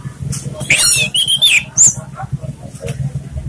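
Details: Orange-headed thrush singing a relaxed lure song for training birds: one busy burst of high, twisting whistles and chirps, followed by softer scratchy notes, with background voices murmuring throughout.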